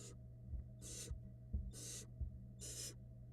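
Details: Barn owl nestlings, small fluffy chicks in a Florida nest-box camera, fed by their mother in 2022: four harsh, breathy hiss bursts in just over three seconds over a steady low electrical hum, with soft thumps.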